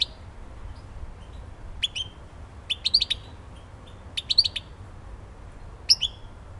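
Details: European goldfinch labelled Elbasani: short bright twittering bursts of high chirps, grouped in clusters about every second or two, with brief pauses between, over a faint low background hum.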